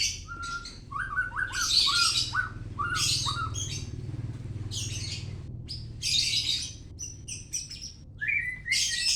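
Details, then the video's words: White-rumped shama, Medan: varied song of short whistled notes repeated in a quick series, broken by loud buzzy, chattering bursts and sharp high phrases, over a steady low background hum. "murai batu medan"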